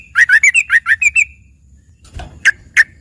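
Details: Yellow-vented bulbul with learned filler song said to resemble a green leafbird: a quick run of about ten warbled, slightly rising notes, a pause, then a few separate sharp chips.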